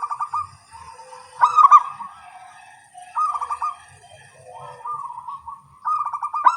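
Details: Several local zebra doves calling back and forth at morning time: loud staccato cooing bursts alternate with softer lower purring phrases, overlapping at moments in an active exchange.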